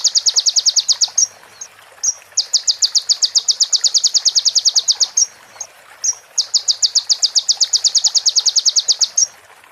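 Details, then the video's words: Sunbird song prepared as a training recording for other birds, with female prinia and ciblek phrases mixed in: long, fast, buzzy trills of high notes, each lasting one to two seconds, separated by short sharp high chips. "MASTERAN KONIN FULL ISIAN PRENJAK BETINA SAMBUNG CIBLEK BREN JERNIH JEDA ORIGINAL DARI SUARA KONIN"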